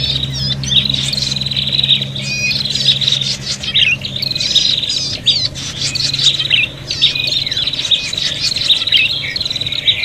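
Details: Noisy fighting prinias used as a lure: ten seconds of dense overlapping high trills, chattering squeaks and quick rising notes from several birds, with a low hum in the background.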